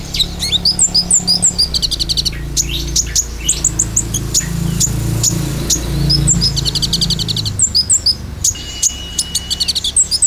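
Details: Olive-backed sunbird 'tembakan' lure song: bursts of high, sharp chirps and rapid rattling trills, with a low background hum through the middle.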